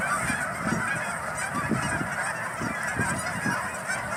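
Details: Geese honking on Thanksgiving Day: a dense, unbroken chorus of overlapping nasal honks from many birds, steady in loudness throughout, with brief stronger honks standing out every half second or so.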